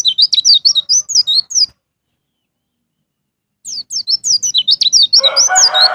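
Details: Ngalas ngeplong pleci (white-eye) song for prompting caged birds: two bursts of fast, high, bouncing chirps, with a harsh, broader lower sound joining near the end.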